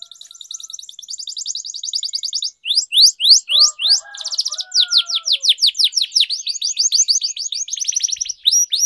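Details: Canary song used as training and lure material for young or silent canaries, a long rolling style: fast trills of repeated high syllables, buzzy rolls, then rapid downward-sweeping notes repeated several times per second, with a few softer lower notes in the middle.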